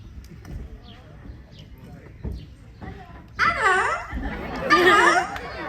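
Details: A female umbrella cockatoo at African Lion Safari, Cambridge, Ontario, gives a loud, high, squawky spoken 'hello' greeting in two bursts, after a presenter talks over faint crowd chatter; cockatoos rank among the loudest parrots.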